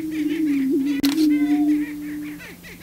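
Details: On their booming grounds, male prairie chickens display to attract a female; a steady low boom with rapid repeated cackling notes above and a single sharp click.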